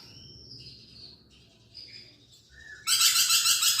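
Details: Lorikeet in chattering song as a magpie-robin training track. Soft, wavering warbled whistles open the clip, then a loud burst of harsh, buzzy pulses breaks in during the last second.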